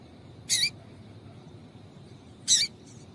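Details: Female Double-collared seedeater giving calls meant to prompt males to sing; two short, sharp, high chirps two seconds apart, each with a slightly buzzy texture, and a faint soft note at the end.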